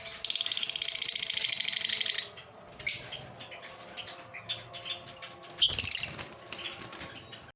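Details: Breeding pair of caged lovebirds giving about two seconds of shrill, rapid, buzzy chattering. Short sharp squawks follow near the third and sixth seconds, with quieter scratchy chirps and faint wing flutter between them.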